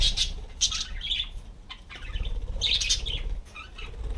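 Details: Parakeets (budgerigars) perched on a homemade bicycle wheel that turns when they sit give short, bright chirps and chattering bursts high in pitch, in a few clusters over four seconds, with low rumbling and soft fluttering beneath.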